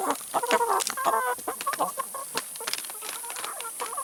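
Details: Chickens pecking at vegetables and salad, giving a few drawn harmonic clucks, then softer scattered clucks among pecking taps.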